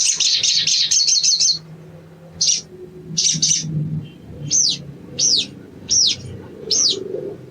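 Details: Sogon (sunbird), recorded as training material to make a caged bird sing quickly: a rapid high buzzy trill, then short chirp bursts and sharp arched whistles repeated about every 0.7 seconds over a low background hum.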